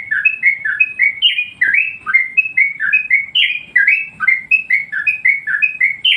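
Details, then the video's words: Yellow-vented Bulbul song used as a master recording to train other birds and stir them up: a steady, bubbly run of short whistled notes that rise and fall, linked in quick rolling phrases, with faint low room noise. "masteran burung Trucuk bikin emosi burung yang lain"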